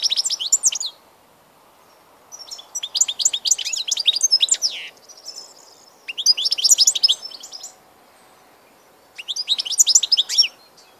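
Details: European goldfinch recorded 16 March 2014, singing in four bursts of rapid, tinkling, high twittering notes, each about a second or two long, separated by short silences.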